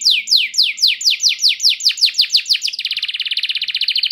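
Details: Canary singing loudly and clearly to spur other canaries to sing: about fifteen evenly spaced downward-sweeping notes, then a fast, tight high trill.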